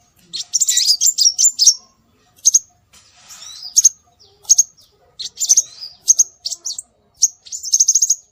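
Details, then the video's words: Scarlet minivet calls played as a lure to draw birds in: thin, high chirps and sharp whistled notes in dense bursts, with pauses, then quick repeated short notes near the end. "Suara Burung Sepah Raja"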